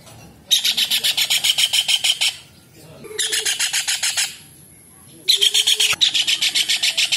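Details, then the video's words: Loud kingfisher calling, a cekakak recording used as masteran for songbirds: repeated bursts of quick, piercing, rasping notes, roughly seven a second, broken by brief pauses with a lower faint tone and a click. "TENGKEK UDANG / CEKAKAK GACOR / RAJA UDANG Masteran UNIK"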